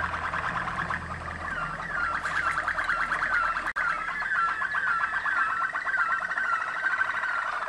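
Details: Waterslager (Malinois) canary bred in Kumanovo, Macedonia, from a line of former international contest champions, singing a continuous rolling trill of fast, evenly repeated notes with slurred downward glides, steady and unbroken apart from one brief dropout.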